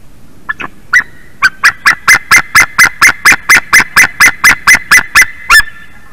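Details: White-tailed eagle at 7:56 AM on 11 March 2019, calling repeatedly after a big bird flew over the meadow: a long, even series of loud, sharp yelping notes, about four per second, over faint background noise.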